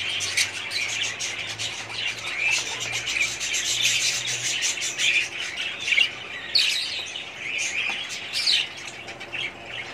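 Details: In a 2017 budgerigar breeding colony, many birds twitter and squawk continuously in high overlapping calls, with a faint low hum beneath for a few seconds.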